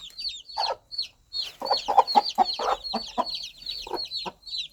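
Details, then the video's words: A mother hen clucks to her baby chicks, guiding them toward warmth, food and safety. Irregular runs of quick, low clucks pack the middle, over a constant stream of high, falling chick peeps. "Sound of Mother Hen Calling Her Baby Chicks"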